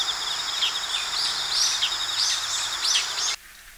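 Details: Bull-headed shrike (Lanius bucephalus) of Japanese farmland and grassland, calling: sharp, high, slurred notes about twice a second over a steady hiss of insects, ending abruptly.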